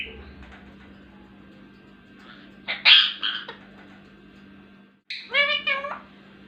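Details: Ringneck parakeet mimicking speech: a harsh, scratchy burst of squawky syllables, a brief silence, then a clearer run of high, wavering, voice-like talking syllables, with a constant low hum underneath.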